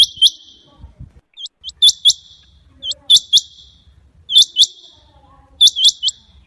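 A rain quail calls with sharp, high, metallic notes in quick pairs and triplets, repeated every second or so.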